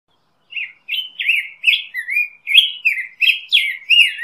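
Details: Black-headed grosbeak singing a rich, warbled song of rising and falling whistled phrases, about ten short slurred notes in quick, uneven succession on a silent background.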